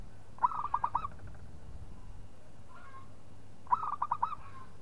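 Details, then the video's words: Local zebra dove singing to provoke a rival: two matching phrases about three seconds apart, each a fast string of five or six mellow, bouncing coo notes, with a faint coo between them over a quiet low hum. "PERKUTUT LOKAL GAJOR JAGO MEMANCING LAWAN BUNYI"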